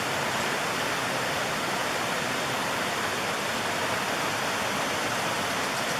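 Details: Constant rushing water like a waterfall or stream fills the whole recording, with no animal calls heard.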